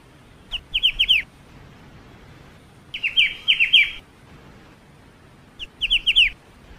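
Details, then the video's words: Singing ciu (black-winged starling) with crisp, high, downward-slurred chirps in groups of three to six, separated by quiet gaps of one to two seconds. "BURUNG CIU // MASTERAN KICAU BURUNG CIU."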